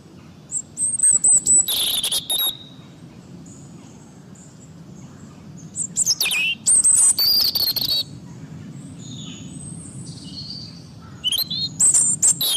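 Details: European robin (Erithacus rubecula) sings three bursts of high, thin, twittering and warbled phrases, separated by pauses, over a low steady rumble of distant background noise.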